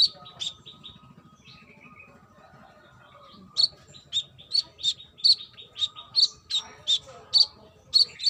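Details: A female brown-throated sunbird calling a male gives a few soft notes, then a steady run of loud, piercing high chips, roughly two per second.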